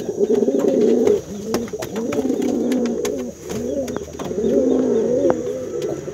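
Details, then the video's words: A brown domestic pigeon, male, calling its female: three rounds of deep, rolling coos, each about a second and a half long, separated by brief pauses, clicks in the background. "SUARA MERPATI MEMANGGIL BETINA"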